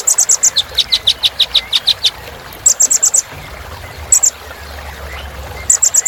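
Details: Sunbird known as kolibri ninja, in a filler song for exciting birds: fast runs of piercing high chips, about six per second, in bursts separated by short pauses.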